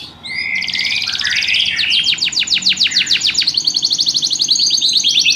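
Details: Canary singing in a lively rhythm, starting with a warbled buzzy passage and moving into a long series of fast, evenly spaced descending trill notes.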